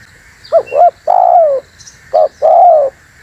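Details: Spotted dove call used to lure wild birds together: two short cooing notes, then a long falling purr-like coo, then one short note and another long coo, all mid-pitched, over a faint steady background hum.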